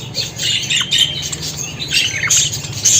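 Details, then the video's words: Brief burst of budgerigar chatter, harsh squawky notes and high chirps running together in a rapid, raspy warble. "Muhabbet Kuşu Sesi!"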